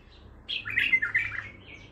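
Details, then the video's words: Caged bulbul, described as raw, singing in the Baghdadi style: after a quiet start, a loud burst of rich, warbled, chattering notes, fluttering up and down, then a thinner trailing whistle in a small indoor space. "بلبل طور بغدادي خام"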